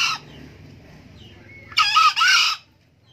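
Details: An old green junglefowl, a frequent crower, gives one short, hoarse, two-part crow, a harsh rising note broken midway, lasting under a second, with quiet background before and after.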